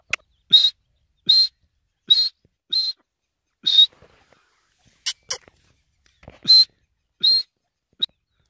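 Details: An Iranian grey francolin gives loud, shrill, high notes in a quick series, about one per second, with a brief pause before resuming; finding: Grey francolin.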